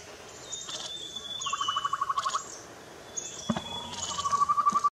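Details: Slender-billed scimitar babbler at Mandala, Arunachal Pradesh, India, 26 May 2019, giving two bursts of quick, evenly repeated mid-pitched notes, each about a second long, over a thin, steady high whine and a few sharp clicks.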